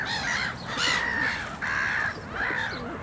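A great black-backed gull gives hoarse, harsh calls with a slight fall, three or four in quick succession, over a steady background rumble.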